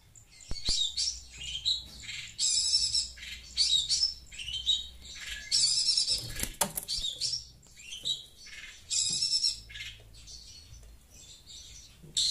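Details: Chattering Long-tailed Shrike reacting to sound from a phone, with bursts of scratchy, buzzy high phrases in uneven groups and a few sharp clicks and rustles between them.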